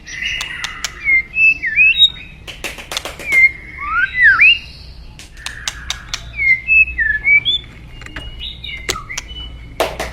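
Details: White-rumped shama of the forest singing against fast-flowing water: bright whistled and slurred notes in loose phrases, some sweeping sharply up or down, mixed with dry clicking ticks throughout.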